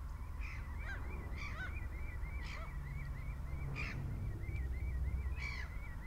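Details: Common redshanks at Marshside RSPB Reserve, Lancashire, on 24 April 2011: a long run of short whistled, slightly rising notes repeated about three times a second, broken by louder harsh, broadband bird calls, with low wind rumble beneath.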